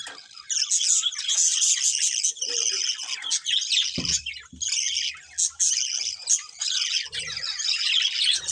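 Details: Several colourful budgies chatter nonstop, a bright, buzzy warbling jumble of squeaks and twitters with brief pauses, and a few dull low thumps midway.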